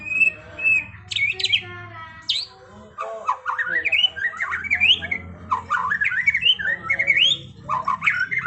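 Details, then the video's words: White-rumped shama song in trontolan ngerol style: loud rising whistled slurs and scratchy, buzzy bursts, phrases repeated with short pauses, over a faint low hum. "Masteran Murai Batu TRONTOLAN NGEROLLLLLLL Edan!! GACOR X Roll"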